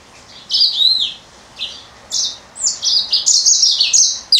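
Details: Female yellow-fronted canary kept indoors as a pet, a budgie also in the room: bright high chirps and short warbled phrases in quick bursts, some notes swooping down, growing denser and more continuous toward the end.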